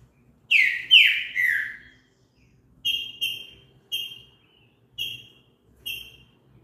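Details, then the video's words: Green-winged saltator singing, a phrase meant to stimulate another bird to sing: three loud slurred whistles falling in pitch, then five shorter clear whistled notes spaced about one second apart, on a quiet background. "TRINCA FERRO CANTO ESTIMULA O SEU A CANTAR"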